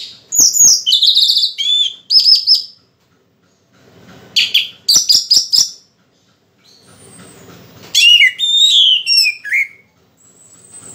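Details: Orange-headed thrush in moult, singing energetically: dense, varied high phrases of sharp whistles, quick chirps and downward slurs, delivered in three clustered bursts separated by short silences.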